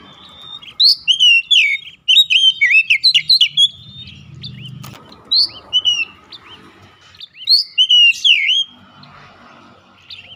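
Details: Oriental magpie-robin lure song, used to set other magpie-robins singing hard; loud bursts of varied whistled, slurred and sweeping notes come in three phrases separated by brief pauses, over a faint low hum.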